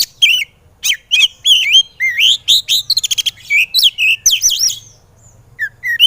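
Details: Training song of a white-rumped shama, meant for kacer birds that are reluctant to sing: rapid varied phrases of warbled whistles, a quick stuttering run of clicks in the middle, a pause, then brief notes resume.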